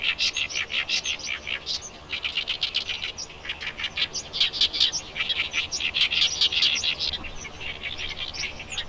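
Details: Breeding Oriental reed warbler in the early-summer reed beds of Eulsukdo, a Nakdong estuary wetland in Korea, delivering a long, raucous song of scratchy, repeated chirps in rapid pulses, rising and falling in loudness with brief dips.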